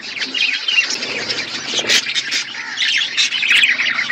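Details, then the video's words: Budgerigar flock feeding on winter food, a dense, continuous chatter of high warbling chirps and squawky notes overlapping throughout, with no pauses. "Beautiful budgies flocks Budgies parrots winter foods"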